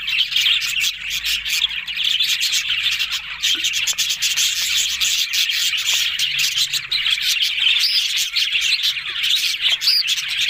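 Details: Budgerigars chattering and warbling together, a dense continuous high twittering with scratchy buzzy notes and brief whistles throughout.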